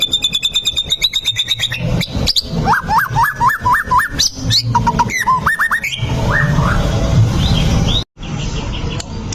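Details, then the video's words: Provocation song of a white-rumped shama for a fighting bird: a fast high trill, then a string of slurred, hooked mid-pitched whistles and varied phrases, with a brief silence near the end. "PANCINGAN MURAI BATU AGAR EMOSI BONGKAR ISIAN! 🔥 MURAI TARUNG AMPUH LANGSUNG NYAMBAR / SHAMA BIRD"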